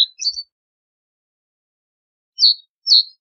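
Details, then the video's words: Reed bunting giving short, high chirped notes: a quick pair at the start, then two separate sharp chips near the end after a long silent gap. "Reed Bunting Song! Reed Bunting Call! Sound! Voice - Escribano Palustre Canto - Emberiza Schoeniclus"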